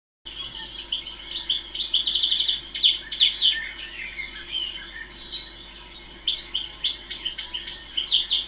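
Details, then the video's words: European goldfinch at a nature conservation area with thistles, teasels and seed feeders, where small flocks occur year-round: a fast, tinkling twitter of liquid trills and high, bright notes, pausing briefly before another run of chirps. "Sound of the Goldfinch"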